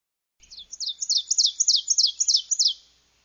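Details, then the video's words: Ovenbird song, said to go 'teacher, teacher, teacher': about eight rapid, sharp two-part down-slurred phrases that grow steadily louder, then stop abruptly against a silent background. "She said the ovenbird songs went, "Teacher, teacher, teacher, teacher.""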